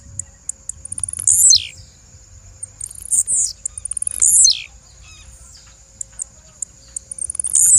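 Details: Female blue-black grassquit calling: thin high ticks followed by three bright, buzzy notes that sweep sharply downward, about every one and a half seconds, over a steady faint high tone.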